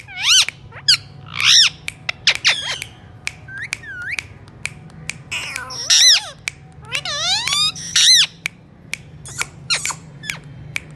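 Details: Alexandrine parakeet calling indoors: bursts of screechy harmonic squawks alternating with sharp clicks and swooping whistled notes, irregularly spaced over a low constant room hum.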